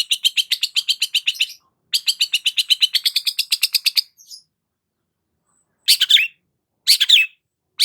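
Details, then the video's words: Long-tailed shrike in lively song: two rapid trains of harsh, buzzy chattering notes, about eight per second, each lasting nearly two seconds, followed by three separate rasping bursts after a short pause; no other sounds. "BURUNG CENDET GACOR"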